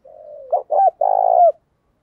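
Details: Spotted dove used as a decoy bird, cooing to provoke other doves to call quickly: a soft, low, drawn-out note, two short, clipped notes, then a longer, rolling, trembling coo that ends with a falling slur, in otherwise silent surroundings.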